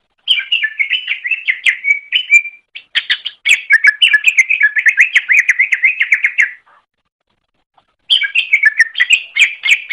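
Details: Greater green leafbird master song for training birds: loud, fast, chattering warble of tightly packed rising and falling whistles, one long phrase broken by a brief pause, then a gap of silence before the song resumes.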